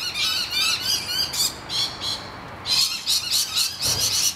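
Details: Rainbow lorikeets defending their hollow from noisy miners, screaming in harsh, buzzy bursts: a steady stream of grating calls, a short lull, then a renewed, louder volley of screeches.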